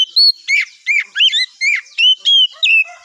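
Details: Morning song of an Oriental magpie-robin, meant to provoke other birds into answering: rapid, varied whistled phrases, rising and falling slurs and sweet notes packed closely together, about three per second.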